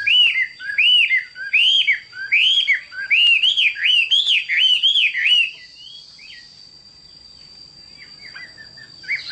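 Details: Chinese hwamei singing loud, repeated arched whistled phrases about twice per second for five seconds, then falling quiet with a few soft distant notes; a steady high faint tone runs underneath.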